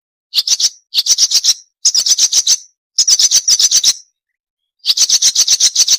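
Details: Small songbird known as sikatan londo delivering bursts of rapid, chattering high notes. Each burst holds five to seven notes and is separated by short silences, in five bursts overall.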